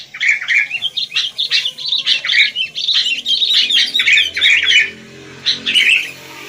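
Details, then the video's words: Sooty-headed bulbul, wild, singing a steady sequence of quick bubbly chirped phrases, over a dozen short note bursts, ending with a final warbled phrase after a brief pause. "Rame Kicau Burung Kutilang"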